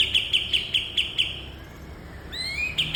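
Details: Kapas tembak, the cream-vented bulbul, in a training song for cage birds: a fast string of sharp, high chips repeated several times a second, a pause, then rising slurred whistles leading into more chips.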